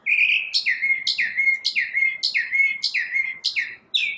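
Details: A single bird's morning song: a steady series of loud, slurred whistled notes dropping slightly in pitch, each with a high sharp onset, repeated about twice a second in a quiet setting.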